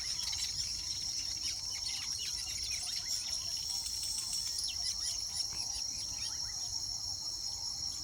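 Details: Weavers nesting and mating in the mating season chatter in a busy stream of short, high chirps and squeaky notes, set against a loud, steady insect drone.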